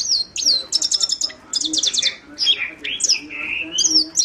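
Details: Himalayan goldfinch singing: rapid high twittering with quick trills, sharp downslurred whistles and buzzy notes, delivered in lively bursts with brief gaps.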